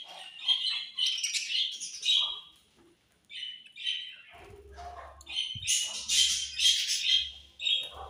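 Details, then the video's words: Budgerigars keep up lively chirping, with rapid high, squeaky twitters and harsher squawks in clustered bursts, a brief lull near the middle, then a louder, busier outburst of chatter. "Very Sweet Budgies Chirping Sounds"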